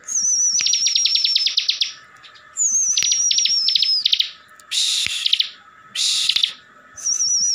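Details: Caged ciblek, the bar-winged prinia, from Tegal, Central Java, singing in ngebren style to provoke other ciblek. Thin descending whistles lead into rapid ticking trills, separated by short gaps and loud rasping bursts.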